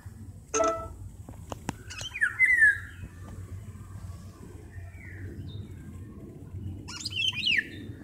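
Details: A golden oriole calling to its mate, which responds the same way from elsewhere: a series of harsh calls and downward-slurred, nasal notes spaced a second or two apart, with a brief click and a soft low rumble behind.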